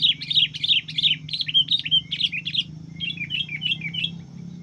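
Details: Sooty-headed bulbul in decoy trapping, with a juvenile caught. Loud, rapid, high chirps repeat about three times a second for over two seconds, then continue as a softer, lower series. A steady low hum runs throughout.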